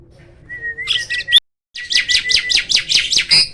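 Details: Black-winged starling, described as seldom found in the wild: a thin level whistle, a brief gap, then a quick series of harsh chattering notes over a steady whistled tone, repeated about twice a second.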